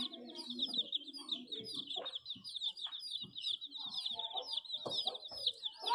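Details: Chicks of domestic chicken peeping: a steady stream of high, thin, downward-slurred peeps in rapid succession, with a few softer low sounds underneath.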